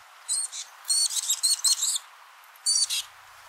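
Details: Female black-capped chickadee giving the broken dee call during the breeding season, from nest completion through early incubation, a courtship call often paired with wing quivering that prompts male feeding: high, stuttering buzzy bursts in clustered runs, then a short final burst.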